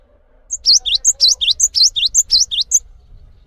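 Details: Cinereous tit delivering around four energetic phrases, each a thin high note then two falling whistled swoops, over light low background rumble; song meant for training other birds.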